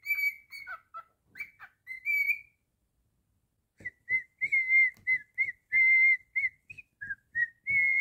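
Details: Indoor pet cockatiel singing loud, pure whistled notes, first a short broken phrase, then after a pause a rapid run of steady and slightly wavering whistles, with light tapping clicks beneath.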